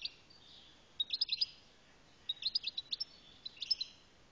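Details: Algerian European goldfinch (maqnin) singing: quick bursts of bright, high twittering and tinkling notes, three short phrases of rapid chirps separated by brief pauses, over a quiet background.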